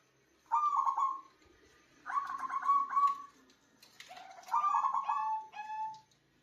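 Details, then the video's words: Local zebra dove in strong, loud-voiced song used as a lure for trapping birds: three rolling, trilled coo phrases of about a second each, low and steady in pitch, spaced roughly two seconds apart in a quiet setting. "PERKUTUT LOKAL GACOR UNTUK PANCINGAN SUARA BESAR AMPUH BUAT PIKAT"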